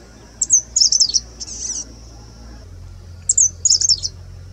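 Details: Grey-sided bush warbler, a single individual singing late in the season in mid October in India: very high, thin phrases of sharp squeaky notes and buzzy trills, each followed by a faint sustained whine, two phrases about three seconds apart.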